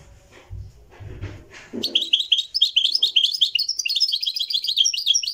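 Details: Moroccan goldfinch, a European goldfinch, in a live recording: low thumps and murmur at first, then a burst of fast tinkling twittered song continuing to the end.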